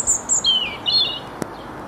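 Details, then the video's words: At Bedhampton Railway Station a songbird gives a short phrase of clear whistled notes, two very high, then lower sliding whistles, followed by a single sharp click. "A Few Song Birds and Garden Birds at Bedhampton Railway Station"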